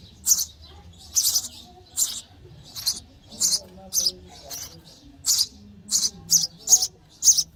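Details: Young sparrows in their nest begging for food as they are fed; scratchy high chirps come in a quick, fairly even series, speeding up toward the end.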